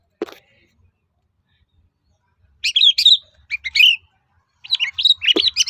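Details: A long-tailed shrike sings a provoking lure song meant to draw replies from other shrikes. After a brief snap, harsh scratchy phrases follow in two bouts of varied rasping notes.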